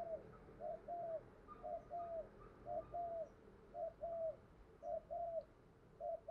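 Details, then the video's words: Cooing of a spotted dove in a decoy setup meant to lure wild doves, heard more distantly: steady repeated pairs of a short and a longer arched coo, about one pair per second, over constant low background hiss. "chim cu mồi thúc gù bài bản nhất hiện nay, chim cu gáy kích bổi hiệu quả nhất hiện nay"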